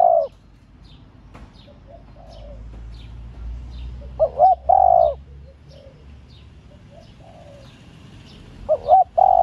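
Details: Female spotted dove calling to stimulate male doves: two mid-pitched cooing phrases, each two short notes then a longer drawn-out coo, several seconds apart, with faint chirps and a low background rumble.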